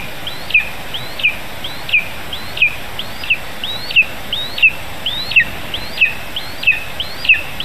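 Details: Vole delivery to a lesser spotted eagle nestling, Zemgale, Latvia, 15 July 2019 around 11 a.m.; the chick repeats piercing whistled notes that rise then drop sharply, about eleven of them, evenly spaced near 0.7 seconds apart, with soft hiss behind.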